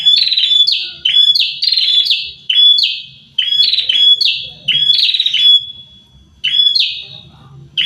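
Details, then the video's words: A pair of prinias singing actively: loud, high, strident notes in quick repeated bursts, each a sharp downslurred chirp often preceded by a thin whistle, phrases coming in rapid series with brief pauses. "prenjak sepasang gacor"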